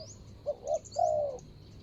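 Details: A spotted dove calling as a ground decoy for a rival gives a single phrase: two short low coos then a long smooth falling crooo, with brief high chirps from small birds in the background.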